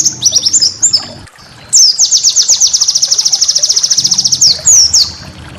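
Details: White-eye master song used to train cage birds: scattered high chirps, a short gap, then a rapid even trill of repeated downswept notes lasting about two seconds, closing with slurred whistles.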